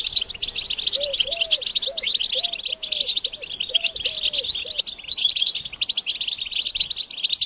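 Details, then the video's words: Group batbata of European goldfinches, calls said to stimulate males to sing: a continuous high, scratchy twittering chorus, while a soft, low, rounded cooing of a dove repeats about eight times in the first five seconds. "بتبتة الحسون تحفيز الحسون على التغريد والهيجان علاج صمت الحسون goldfinch stimulation"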